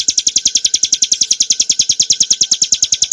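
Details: Short run of bar-winged prinia song (Prinia familiaris montana), clear ngebren nembak type used as cage-bird training material: brisk, repetitive high chirps in a tight, rhythmic trill.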